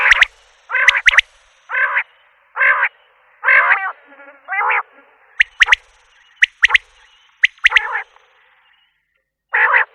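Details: Repeated common quail calls: short rasping nasal bursts alternating with crisp, high double and triple pips over ten seconds, in a steady, rather uneven rhythm.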